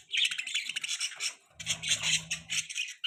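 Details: Baby budgerigar perched on a hand, chirping: rapid high chattering twitters in continuous bursts, with a low hum in the middle section.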